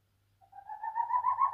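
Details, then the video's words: Old captive boreal owl, blind in both eyes, singing at night indoors in an apartment in response to croaking tree frogs: a wavering, tremulous hoot that swells and rises slightly in pitch for about a second, over a faint low hum. "Сычи сычуют"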